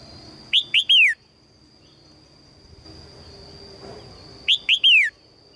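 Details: A female red-whiskered bulbul calls out to attract a strong male with two loud phrases of three clear, downward-slurred chirps, separated by quiet, with a faint steady high tone behind.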